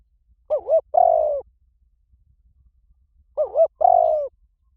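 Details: Spotted dove calling, used as a lure for trapping doves: a three-part coo, two short wavering notes then a longer falling purr, given twice about three seconds apart over a quiet background.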